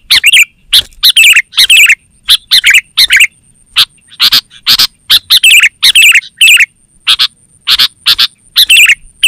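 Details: Sooty-headed bulbul calling energetically, a lure for wild forest birds and a tutor for caged birds: dense runs of loud, harsh chirps mixed with short liquid, bubbling phrases, with a thin constant high tone behind.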